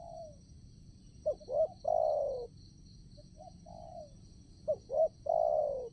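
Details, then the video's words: Decoy spotted dove calling to lure wild doves for trapping at a new location: two short rising notes followed by a drawn-out falling coo, the phrase given twice, over a continuous insect hum. "BL ganteng untuk pecinta burung tekukur"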